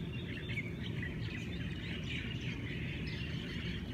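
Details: Hawaiian birds in a morning chorus in Hawaii: overlapping faint chirps and short warbled notes from several birds, set over a loud, steady low rumble throughout.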